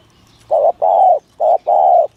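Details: Spotted dove 'thổ thúc gù' cooing for luring: two pairs of deep, hollow coos, each a short note followed by a longer drawn-out one, loud and clear against quiet background.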